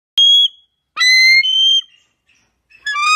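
Bald eagle giving thin, high whistled calls: a sharp short note, then a longer wavering squeal, then a third rising whistle, with silence between.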